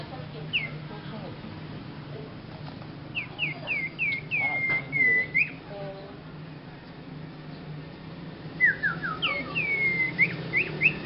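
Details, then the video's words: Young sirpu with a strange song of clustered whistled notes: short falling slurs running into looping rising-falling whistles, a pause, then another run of descending notes and flicks; faint voices in the background. "Kicau Burung Sirpu pemula Bersuara Aneh"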